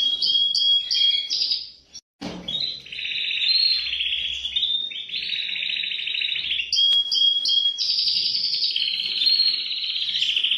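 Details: Canary song of dense, rapid rolling trills and whistled phrases, with a brief pause after the first two seconds, then long sustained buzzy rolls and bright notes carrying to the end.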